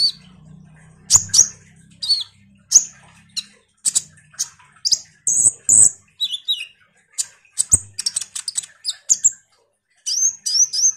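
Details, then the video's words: Energetic common iora chatter used to draw responses from sunbirds: irregular high chips, short downward-slurred whistles and clusters of quick sharp notes, with a faint low hum at the start. "suara PANCINGAN KONIN GACOR NGOBRA"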